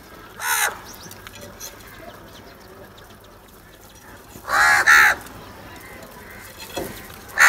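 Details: Crows fighting for food: one short harsh caw, a long pause, then a pair of rough, grating caws in quick succession and a final caw beginning at the very end, over low background noise.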